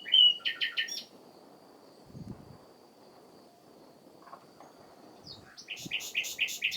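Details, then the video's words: Springtime song of a common nightingale. Buzzy, rapidly repeated high notes open and close the passage, with a quiet gap between them and faint low rustles in the background. "Ruiseñor Común cantando, el Tenor del bosque"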